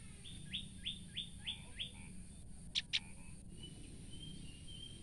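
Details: Frightened female olive-backed tailorbird giving a quick series of five thin, downslurred notes at an even pace, followed by two sharp clicks, with a steady low hum behind.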